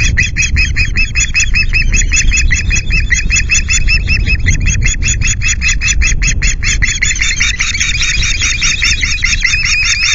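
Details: Ospreys at their Loch Garten nest in Scotland screech at an intruding osprey on a 9 August morning, chasing it away; a fast, unbroken train of shrill, harsh notes, several per second, with heavy wind noise underneath.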